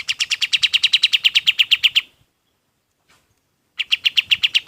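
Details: Rapid, ringing high chips from a golden-bellied gerygone, a song used to train other birds, run for two seconds. A long silence with a tiny tick follows, then the same fast chipping resumes.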